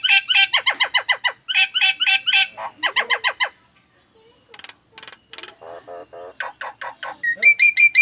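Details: Nias hill myna producing unusual sounds compared to an anti-theft alarm; fast series of loud harsh repeated squawks in bursts, then softer chatter ending in clear whistles.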